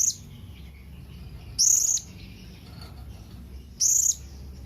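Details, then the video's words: Blue-crowned hanging parrot calling out to its companions, played to lure others into answering. Long, piercing, high-pitched notes, each about a third of a second, spaced roughly two seconds apart against a low steady hum. "Suara SERINDIT MEMANGGIL KAWAN"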